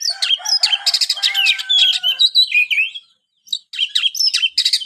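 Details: White-rumped shama singing rapid chattering notes and ringing whistles, a brief silence, then a renewed burst of sharp high phrases.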